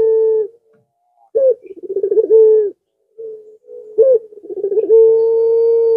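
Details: Cooing song of a zebra dove meant to draw in rivals, two phrases each starting with a sharp note, breaking into quick pulsing stutters and settling on a drawn-out level tone.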